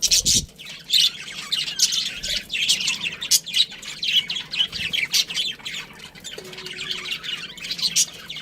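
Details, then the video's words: Pet budgie chirping steadily in quick scratchy notes throughout, rising and falling in loudness, with a faint low tone near the end. "cute budgie chirping sounds"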